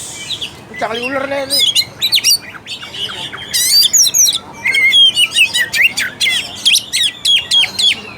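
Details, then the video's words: Oriental magpie-robin in full, vigorous song, used as a lure to stir a lazy, unaggressive bird into singing: rapid varied whistles, sharp chirps and slurred high notes in dense bursts, with a brief harsh, lower grating phrase near the start. "PANCINGAN AMPUH UNTUK KACER MALAS BUNYI DAN KURANG FIGHTER."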